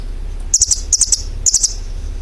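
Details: Bird giving bright, high chirp bursts of two or three clicky notes, spaced about half a second apart, over a faint low steady drone.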